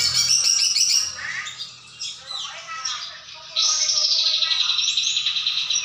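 Sooty-headed bulbul singing bright, chattering phrases with a few slurred, falling whistles, over a dense high twittering of other birds.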